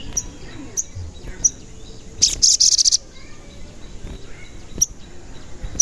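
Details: Crimson sunbird (sogon) lure sound for trapping or stimulating other sogon: regularly spaced high chirps, a loud second-long burst of fast shrill trilling in the middle, then more scattered chirps.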